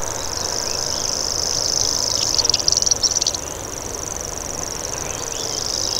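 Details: Common grasshopper warbler (Locustella naevia) reeling: a steady, high-pitched, insect-like buzz running throughout, with a short burst of other bird chirps near the middle.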